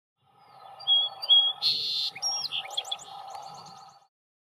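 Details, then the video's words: In the morning, a song sparrow sings a few clear whistled opening notes, a harsh buzz, then tumbling notes ending in a quick even trill, over a low steady hum. "Song Sparrow"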